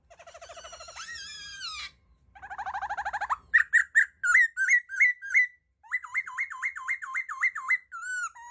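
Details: Laughingthrush song opening with a fast buzzy trill and a rising whistled sweep, then a chain of loud, looping whistled notes repeated rapidly, ending in a rolling series of wavering whistles.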